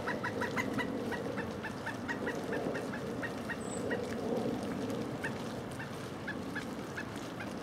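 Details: Wintertime pileated woodpecker, Duke Island Park, 25 January 2011, Panasonic HDC-SD60 camera: a long run of loud, clipped notes, roughly three per second, slightly uneven, continuing through most of the recording over constant low hum.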